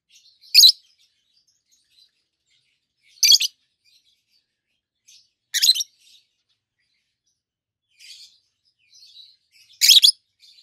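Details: Peach-faced lovebird pair, healthy green adults with red and yellowish white faces, chirping repeatedly: sharp high squeaky calls every two to three seconds, with faint soft twitters between them.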